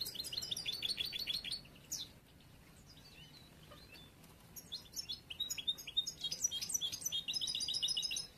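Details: Young yellow-brown bruno amarillo European goldfinch still learning its song for future contests: a brisk run of high trilled notes, a quiet stretch, then scattered twitters building into another rapid trill.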